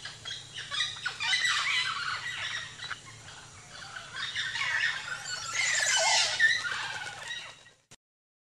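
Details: Strutting male ocellated turkey at Chan Chich Lodge in Belize, displaying to attract a mate. Fast, rough, rolling notes come in waves, about four a second, with the loudest surge near the end before stopping abruptly. Oropendola and other birds call behind.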